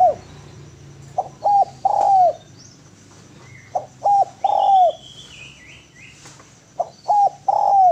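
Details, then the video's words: Spotted dove in full, vigorous song, recorded as a training track for other doves: three cooing phrases, each a short note, a second short note, then a longer drawn coo with a falling end. A faint steady hum sits underneath. "SUARA DERKUKU GACOR SUARA MERDU BERSIH MEWAH MASTERAN TEKUKUR"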